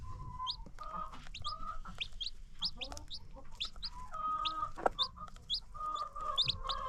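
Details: Free-range chickens with new baby chicks on a farm: high, short chick peeps repeated rapidly over drawn-out, level hen clucks and purring calls, with a low rumble of background noise.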